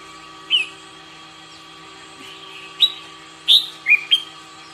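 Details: Red-whiskered bulbul in morning singing practice: short bright whistled phrases, several quick rising-and-falling notes in the second half after one early note, over a steady electrical hum.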